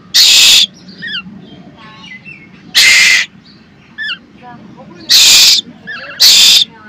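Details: Hungry Asian koel chick, hand-raised after hatching in a pigeon cage, shouting for food: loud harsh broadband screeches about half a second long, four in seven seconds, with softer chirps and a person speaking between.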